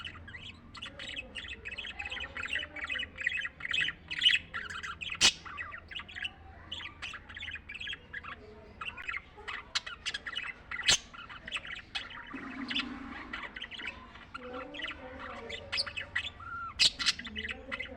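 Budgerigars chatter nonstop with busy, scratchy chirps, warbles and sharp squawks, several birds overlapping.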